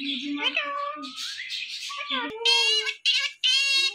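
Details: Parrot kept at home, voice-like babbling with gliding tones, then three loud, harsh, rich squawks in quick succession.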